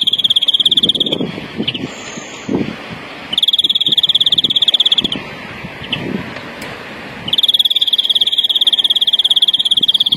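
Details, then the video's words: European greenfinch singing a larguero-style song, used in Spanish silvestrismo for tutoring young birds, 2021: long even rolled trills, each lasting one to two seconds, separated by short pauses with soft low chatter and faint rustling. "verderon larguero educacion para noveles"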